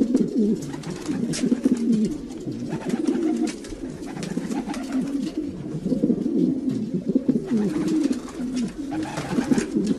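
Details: Domestic pigeons, several birds cooing together: overlapping low, throaty, warbling coos that rise and fall continuously, with soft clicks and rustles from the birds moving about.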